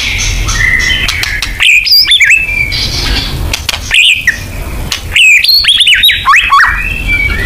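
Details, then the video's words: White-rumped shama (murai batu) singing in a lure recording of full 'nembak' style song: bursts of loud, clear whistled notes jumping between high and mid pitches, separated by short pauses, over a steady low background hiss. "Pancingan AMPUH BONGKAR MATERI MURAI BATU FULL NEMBAK"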